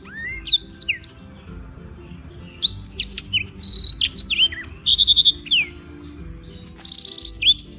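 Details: Black-throated canary singing steadily in Beng, Gianyar, Bali, used as a tutor bird: bursts of high sweeping whistles and rapid trilled notes separated by short pauses, with a faint low hum underneath.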